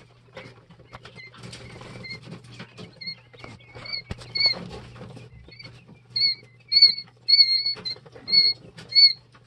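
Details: Two- and three-day-old Jumbo White Quail chicks in a brooder give high piping cheeps, sparse at first then a faster run of repeated slurred peeps, amid scratching, pattering noise and a steady low electrical hum.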